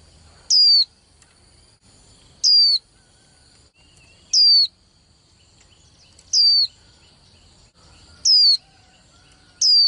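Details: Young female white-eye repeating a piercing, steeply falling whistle six times at regular intervals of about two seconds, a call used to make male birds sing more eagerly in contests; a faint constant high tone persists.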